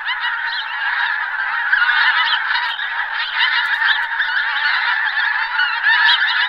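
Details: Pink-footed goose flock giving a dense, continuous chorus of overlapping nasal honks and higher yelping notes, many birds calling at once without pause, steady and unbroken throughout.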